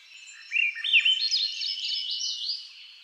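Swainson's Thrush singing a spiraling run of flute-like, slurred phrases that climb steadily higher over about two seconds. The background is quiet.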